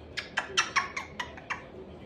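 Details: African grey parrot, a pet on a new perch and very chatty, gives a rapid string of about seven short, squawky, harmonic syllables in two seconds, each a sharp burst with bright overtones, over quiet indoor background.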